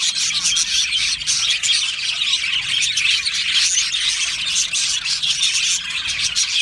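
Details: Australian budgies in an aviary colony, a dense continuous chorus of high chirps, squawks and warbling chatter with no pauses, many birds calling at once.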